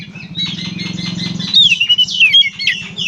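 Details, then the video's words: Oriental magpie-robin giving gacor konslet song: high slurred whistles and harsh chirps emerge halfway through, over strong low buzzing and rumbling background noise. "suara burung kacer gacor konslet"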